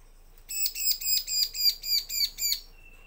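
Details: Bar-winged prinia lure song for prompting males and females to answer: a fast, even string of eight buzzy, harsh chirps, followed by a thin steady whistle.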